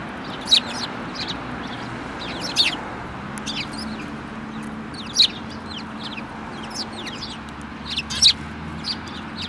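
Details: Sparrows, among them a yellow-beaked individual, on 24 February 2018; loud single sharp chirps every two to three seconds with fainter chirps between, set against a low steady rumble.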